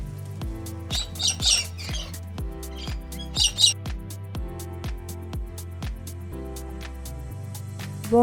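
Two bursts of harsh, raspy cockatoo screeches, each about half a second, rising over a steady rhythmic music bed with a regular beat.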